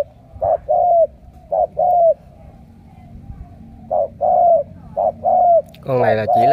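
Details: Cà Mau Spotted Dove, a captive decoy with đồng siêu gù cooing, repeats low paired coos, a quick note then a longer falling one, in spaced phrases before a man begins talking.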